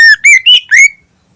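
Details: Greater green leafbird, "ngentrok" song used as a lure: four loud clear whistled notes in quick succession, each slightly different in pitch, some slurred upward, then silence.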